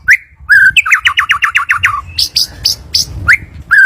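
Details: White-rumped shama singing as a lure recording to get a bird to sing: rising whistled notes, then a quick series of seven or eight repeated falling notes, then high clear whistles and more rising calls.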